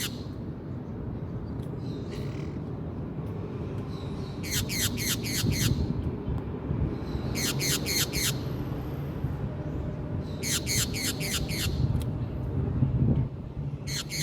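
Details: Brazilian green parakeet giving three bursts of four to five rapid, harsh, screechy notes, each sliding downward, spaced a few seconds apart over a steady low background rumble.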